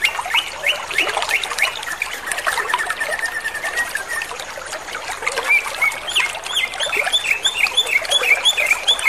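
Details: Greater green leafbird pouring out rapid trotol-style song: tumbling chirps and trills, a drawn-out whistle early on, then a series of crisp, upswept notes repeated quickly toward the end.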